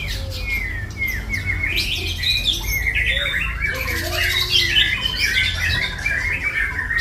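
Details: White-rumped shama pouring out a long, continuous medley of whistled, trilled and scratchy phrases, opening with clear slurred whistles and growing denser and more jumbled, over a persistent low hum.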